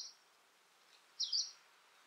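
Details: Hume's leaf warbler, a late-autumn migrant in the UK (late October to early November), gives one high, sharp, two-part 'ts-weet' call after a faint clipped note; otherwise near silence.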